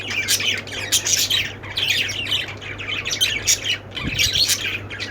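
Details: Budgies squawk and chirp together in lively overlapping bursts of bright, grating notes, with brief lulls between and a background hum.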